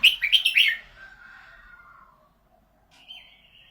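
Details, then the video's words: Thai red-whiskered bulbul, called golden-voiced, opens with a fast run of three loud bouncy whistled notes trailing into a descending slur, then a single steady clear whistle after a pause. "นกกรงหัวจุก เสียงทอง"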